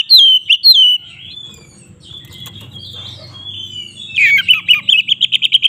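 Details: White-rumped shama song used to provoke birds to fight: a few whistled slurred notes, then a quiet gap with low hum, ending in a rapid string of short, evenly repeated chipping notes.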